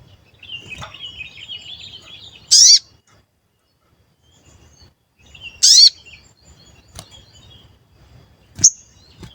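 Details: Sooty-headed bulbul lure call, described as a 'cuit cuit' sound, used to make other bulbuls sing, respond and get agitated. Two loud, short, sharp chirps with rising tones about three seconds apart, plus a faint thin trill before them and a brief later chirp.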